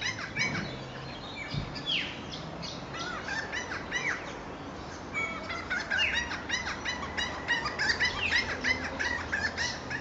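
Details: Noisy friarbirds (Philemon corniculatus), recorded 13 September 2011, give harsh, cackling, rising-and-falling calls, several birds overlapping in a busy, steady chatter throughout.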